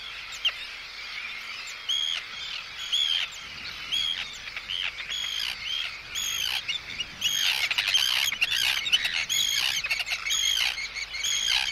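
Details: Arctic terns close up, anxious and threatening toward an intruder, with chick calls: sparse harsh notes at first, then a crowded, rising clamour of rasping, downslurred cries from many birds at once.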